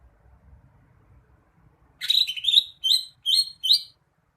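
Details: Greater green leafbird singing: after two seconds of quiet, a rising slurred opening phrase followed by four short, bright whistled notes with buzzy overtones, each note upslurred and spaced about a third of a second apart.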